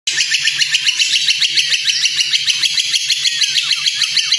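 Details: White-rumped shama training recording for teaching other birds: a fast, even chatter of bright, buzzy notes repeated about three times a second, with a faint low pulsing beneath.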